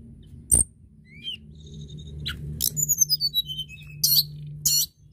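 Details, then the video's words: Crested lark in energetic song to prompt others to sing: high whistled notes and a long descending slurred phrase, with harsh bursts and sharp clicks over a low hum. "Tledekan gunung gacor dorrrr"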